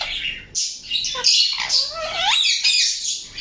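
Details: Harsh, raspy screeches from an Indian ringneck parakeet, near-continuous for over three seconds, with scratchy bursts and a few rising and falling whistled sweeps mixed in.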